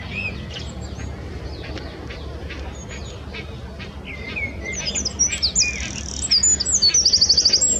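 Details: A Eurasian wren sings loudly from a branch beside the Long Water, a very high, rapid song of sharp notes ending in a fast trill, over a soft low background rumble.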